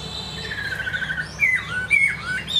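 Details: Chinese hwamei singing: a few loose whistled notes, a long slurred phrase near two kilohertz, then sharp upward and downward swoops in separate bursts with short pauses between.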